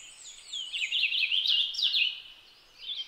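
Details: Purple finch delivering a lively warble, quick varied notes jumping up and down in a steady stream, then a brief pause and a short renewed phrase at the end.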